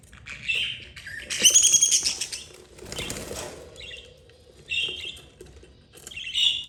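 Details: Captive mother budgerigar with her four chicks, two yellow and two green, the eldest 32 days old: high scratchy chirps in short bursts, with a loud flurry of wing flapping and rustling in the cage.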